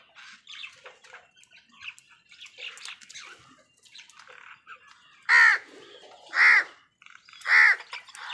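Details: Angry crow tearing a leaf: three loud, harsh, hoarse caws spaced about a second apart close the recording, preceded by softer scattered clicks and faint background calls.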